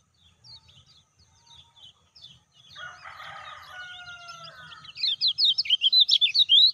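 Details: Caged lemon-bellied white-eye call, used as a lure to prompt silent or newly acquired birds to start calling: faint scattered chirps, a noisy burst in the middle, then a loud run of fast, high, sharp chirping notes at the end.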